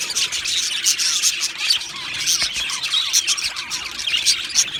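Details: Two male Australian budgies chirping busily: rapid, high, twittering notes and short scratchy squeaks run together without a break, rising and falling slightly in loudness.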